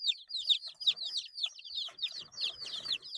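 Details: Baby chicks eight days old give clear, strong high peeps, each sliding downward, repeated quickly in a row, with some rustling noise toward the end.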